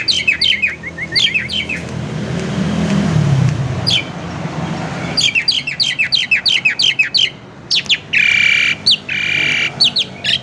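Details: A caged Asian pied starling sings a varied lure song. Quick chirping runs are broken by a low noisy rumble midway, then busy staccato notes and two long harsh, rasping bursts near the end.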